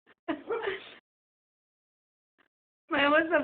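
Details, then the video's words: Mya, a pet bird, gives two rough, voiced bark-like bursts with a wavering, growly tone, each under a second long, separated by a brief pause. "the barking bird"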